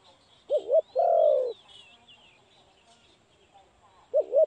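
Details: Spotted dove, recorded during trapping, cooing: a short wavering double coo followed by a longer steady coo, then the double coo again after a pause, with faint high chirps of other birds behind.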